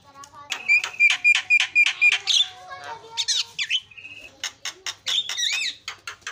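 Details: Asian pied starling singing to provoke other starlings: a fast run of sharp repeated notes with whistled tones near the start, then squeaky chatter, rising and falling whistles and harsh bursts.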